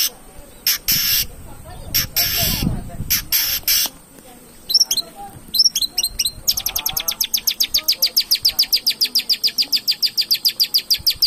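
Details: Long-tailed shrike, lure recording meant to provoke singing: harsh rasping bursts and a few sharp notes, then a long, fast, even rattle of clipped high notes.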